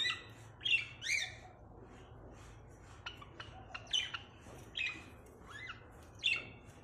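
A Java sparrow gives short, bright chirps and squeaky notes in irregular bursts, about a dozen over seven seconds, against a faint indoor hum.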